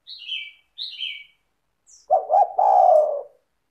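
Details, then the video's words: Spotted dove (tekukur) singing as a lure for other doves: two high, sliding chirps from another bird open, then a double hoot and a long, level-to-falling low coo. "PANCINGAN suara tekukur gacor rapat merdu dan jernih"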